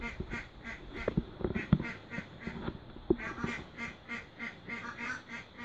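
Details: Mallard accompanied by newborn ducklings at feeding time, uttering a rapid run of nasal quacks, slightly irregular in spacing, with soft knocking and handling noises underneath.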